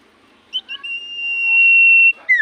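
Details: Common iora in full voice, singing to get other ioras to reply: two brief chirps, then a very long, pure whistled note that swells in strength before ending, and a falling slurred whistle at the close.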